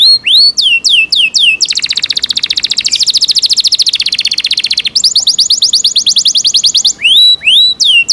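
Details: Caged Yorkshire canary singing loudly: upward-then-downward whistled notes, a long rapid mechanical rattle, a second quick trill, and a return to clear sweeping whistles at the end.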